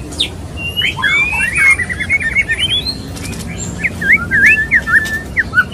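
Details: Male murai batu, the white-rumped shama, wooing a female: a run of quick looping whistles, then after a pause a series of separate clear, bouncy up-and-down whistled notes.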